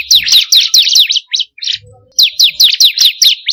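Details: Bar-winged prinia (ciblek kristal) song used as a lure for caged birds: two runs of about nine loud, high, downward-sweeping chips, evenly spaced, broken by a short gap with faint buzzy notes.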